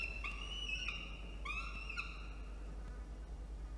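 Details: Peregrine falcon chick in a nest box atop a water tower in Orange, New South Wales, Australia, protesting while the nest is cleaned, afternoon of 17 November 2021: drawn-out harsh wailing cries, two long ones then a shorter one, over a low steady hum.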